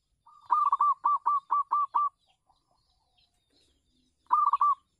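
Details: Local zebra dove singing on a house terrace, kept as a lure for other doves: a fast run of seven short, hooked cooing notes, a pause of about two seconds, then another quick burst of three notes.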